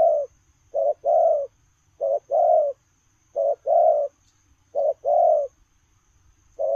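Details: Low paired coos from a spotted dove running about: a quick note then a longer rolling coo, repeated four times at a regular pace, background quiet apart from faint hiss.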